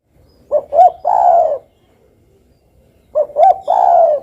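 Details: Spotted dove singing actively: two phrases, each made of two short hooting notes followed by a longer, slightly falling coo, separated by about a second and a half of silence.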